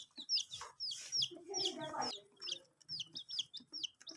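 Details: Chicks at a water dish, kept under heat, uttering loud, high, hooked peeps roughly every half second, with a stretch of lower voice-like sound in the middle.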